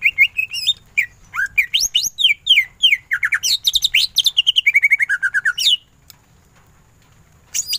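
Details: Ngentrok-style song of a greater green leafbird: lively whistled notes leaping up and down, then a fast rattling series of descending staccato notes that ends abruptly before a lone final chirp.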